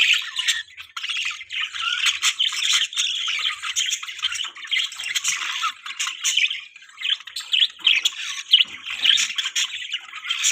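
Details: Several budgerigars in the morning, parents feeding a chick, keep up a steady high warbling chatter with sharp clicks and chirps that rise and fall in loudness throughout.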